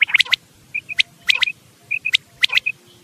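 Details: Quail call recording played as a hunting lure. Sharp, high chirped notes come in quick pairs and triplets about every half second, mixed with softer short whistled peeps.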